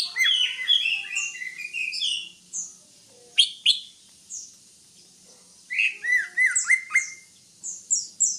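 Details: Greater green leafbird singing a rapid, varied run of high chirps and downslurred whistles, with a pause, then a second burst of sharp descending notes and scattered very high chips.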